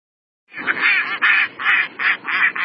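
A mallard gives a run of about six harsh, nasal quacks, evenly spaced roughly three to a second, with no other sounds clearly heard.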